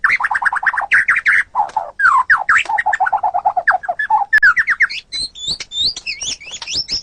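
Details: Continuous white-rumped shama song used to train songbirds: dense, rapid, slurred mid-pitched notes in quick rhythmic runs, ending in a sequence of high thin twisting whistles.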